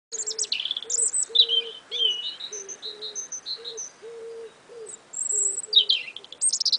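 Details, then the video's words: Two small songbirds singing together in early spring, perhaps competing, with a third backup singer at times: bright, high chirps and trills in quick phrases over a steady low hooting note pulsing about twice a second. "Two Little Spring Birds singing away!"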